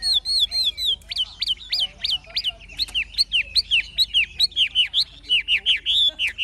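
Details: Old, wild-caught Chinese hwamei kept in a cage, singing forest-style song. A long, regular series of bright whistled notes, each sharply rising or falling, comes at about three per second with short pauses between.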